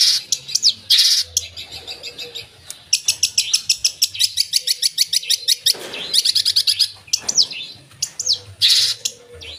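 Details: Vigorous long-tailed shrike song packed with mimicked phrases: fast runs of sharp high ticks, loud raspy bursts and quick downslurred whistles, with brief pauses between outbursts.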